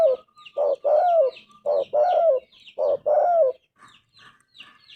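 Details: Spotted Dove in full cooing song: three phrases of a clipped low coo and a drawn-out wavering coo about a second apart, then faint higher chirps from other birds in the background.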